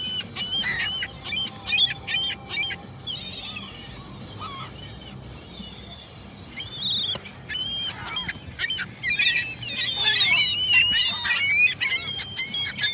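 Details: A long stretch of gull calls, with strings of short, squealing, harmonic notes that thicken into a busy overlapping chorus towards the end.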